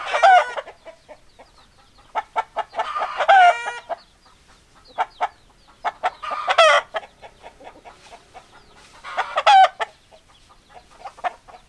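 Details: Hens and roosters: groups of short clucks broken by loud harsh wavering squawks about every three seconds, quieter clucking between.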